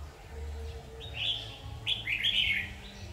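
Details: Red-whiskered bulbul at a trapping session, 7 August 2019: two quick bright warbling phrases, the second longer and bubbling, over a low droning hum, with a man speaking Vietnamese nearby.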